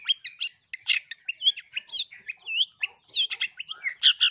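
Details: Long-tailed shrike singing a lively mimicry song with sparrow-like fill, meant to spur other shrikes into song: rapid high chirps, a wavering whistled slur in the middle, and a few harsh bursts near the end.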